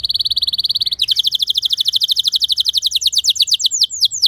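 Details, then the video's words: Canary training song for other canaries: a fast high trill that switches abruptly to a long run of quick repeated chipping notes, ending in slower downward-swooping whistles. "Putar 10 Detik Saja Kenari Lain Bisa Ngeplong Anti Ngeriwik Gacor Nembak Panjang"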